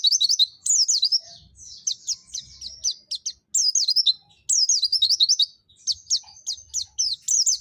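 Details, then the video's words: Dakun white-eye from Pacitan delivering a 'nembak' song with 'zipper witwit' and 'mantenan' elements: clean, very high, looping whistled notes strung in fast runs, separated by brief pauses, with faint low background rumble. "Pleci Dakun pacitan nembak mantenan&zipper witwit"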